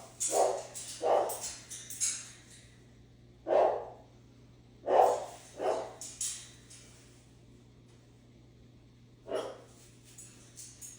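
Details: Pet parrot imitating a dog's bark: short, harsh barks, often in pairs, about seven across eleven seconds with longer pauses between groups, over a faint steady hum.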